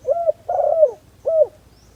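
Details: A single phrase from a spotted dove used as a decoy for luring wild doves: a short hoarse coo, a longer rolling note that slides downward, and a final brief coo.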